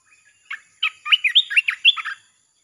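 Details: Red-whiskered bulbul song meant to draw in wild birds: a lively phrase of around nine quick, mellow whistled notes bouncing up and down in pitch after a brief soft opening chirp.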